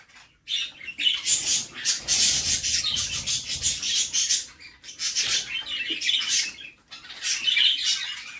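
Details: Budgerigar mother feeding her chicks inside a nest box; dense, hissing, raspy begging chatter in long pulsing bursts with brief gaps, plus low rustling and scraping from movement in the box.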